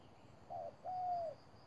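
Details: Caged decoy spotted dove at a trap, giving one quick soft coo and then a longer smooth, gently falling coo, with the start of the next phrase at the end.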